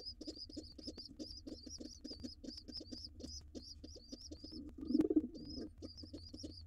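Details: Rock pigeon parents, male white and female gray, together with young nestlings in a wild nest box. Rapid thin whistled squeaks run continuously above soft low pulses, broken by one louder throaty coo late on.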